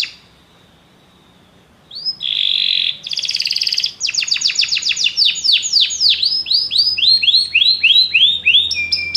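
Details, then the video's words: Canaries sing along after hearing music: after a quiet start come a whistled tone, buzzy bursts, a fast trill and a long series of repeated downward-curving notes. "muitos canários cantam junto depois de ouvir essa música"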